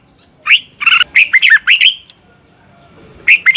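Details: Red-whiskered bulbul morning song, a practice recording used to train birds and as a decoy: a rapid burst of bright, warbled whistled notes with sliding upward and downward inflections, then a pause and a short fresh phrase at the end.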